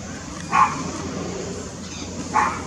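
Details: Red-winged parrot feeding upside down on mango gives two short harsh screeches about two seconds apart, over a constant low hum.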